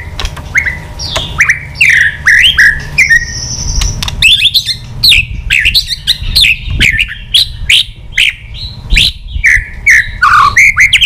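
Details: Many-voiced white-rumped shama, a mature wild bird provoked into contest song with clicks and tail-beating. A steady run of short downslurred and upslurred whistles is delivered over a low background hum.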